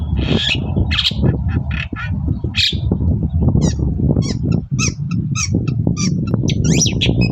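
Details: Long-tailed shrike in vigorous morning song, meant to draw replies from other shrikes: harsh scratchy notes and short squeaky chips in an irregular run, with a heavy low rumble underneath throughout.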